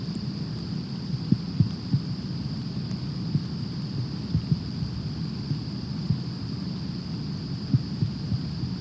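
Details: Steady high electronic whine over low rumble, broken by soft scattered knocks, with no animal voice.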